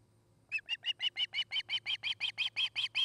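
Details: Nesting osprey filmed by a webcam in Charlo, Montana, on the afternoon of 29 August 2018, breaking into a quick, even series of shrill chirping whistles, about five per second, over a faint steady hum.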